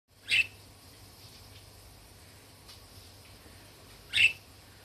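A budgerigar gives two short, scratchy chirps about four seconds apart, with a faint low hum in the quiet room between them.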